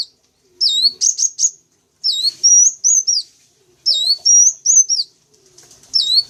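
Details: Sunbird lure sound used to attract wild sunbirds: high, thin whistled notes sliding up and down, grouped in quick bursts of three or four chirps with short silent gaps between bursts, clean background.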